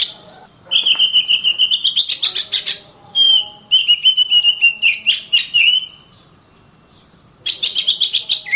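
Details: Kacer (Oriental magpie-robin) singing 'gacor rapat' to provoke other birds into song and fighting: two long phrases of level whistles blended with quick rasping chatter, separated by short breaks, a silent stretch, then a final harsh burst.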